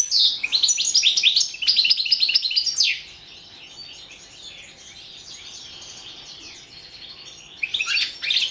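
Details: European goldfinch from a 2017 internet goldfinch singing contest, Carduelis Balcanica; about three seconds of dense, rapid, tinkling twitter, then a long hushed stretch before a short final burst.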